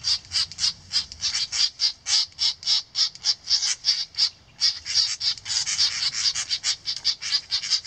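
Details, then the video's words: Alarm calls of great reed warblers mobbing a 3D printed common cuckoo decoy near their nest: a rapid run of grating, buzzy churrs, irregularly spaced and sometimes doubled, with a brief pause near the middle. "Great reed warblers mobbing 3D cuckoo decoy"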